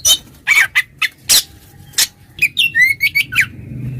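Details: Oriental magpie-robin in loud 'ngeplong' style singing to call a rival: harsh raspy bursts in quick succession, then a run of short upslurred and downslurred whistles, with a faint low hum beneath.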